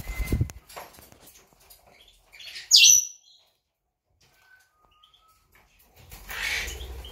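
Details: Monk parakeet recorded 8 September 2020. A single loud, harsh, buzzy screech comes about three seconds in, set between quiet stretches. Faint chirps can be heard early on, and a soft rushing noise closes the recording.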